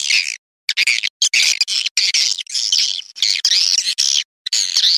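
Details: Harsh, high, scratchy swiftlet chatter used as a calling sound to attract swiftlets, in irregular bursts of under a second separated by brief gaps, continuing throughout.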